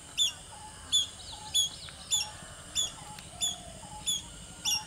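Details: Fulvous-breasted Woodpecker foraging for insects on a thorny tree branch, 22 June 2020, gives sharp, high 'pik' notes about every two-thirds of a second, with faint squeaky chatter and a soft lower whistle behind.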